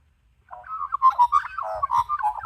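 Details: Wild Australian magpie (Gymnorhina tibicen) warbling in a continuous run of rich, gurgling, slurred notes rising and falling in mid pitch, with a faint low rumble. A female and a male are visiting a garden to be hand-fed white curl grubs.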